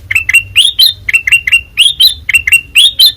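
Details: ['Kutilang emas, a white-eyed ruby-throated bulbul, in full ngeplong song: clear whistled notes, each sweeping upward, come in fast pairs throughout, lively and evenly loud.']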